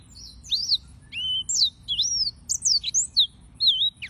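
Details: Yellow-fronted canary delivering a steady chain of high whistled notes: rising and falling slurs and looping phrases, each note separate, clear and sweet, with a soft low hiss behind.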